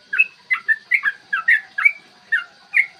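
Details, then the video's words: Yellow-vented bulbul singing a clear morning song meant to stir other bulbuls to sing and fight. Loud, bubbling two-part whistled notes, slurred up and down, spaced roughly every third of a second, with a faint continuous hum behind. "trucukan gacor TARUNG ROPEL PANJANG pancingan trucukan agar BUNYI dan EMOSI"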